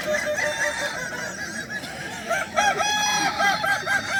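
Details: Kukuak Balenggek cocks competing in a crowing contest at Danau Bawah on 6 October 2024; an overlapping chorus ends in a clear series of short, looping, stepped syllables repeated about twice a second.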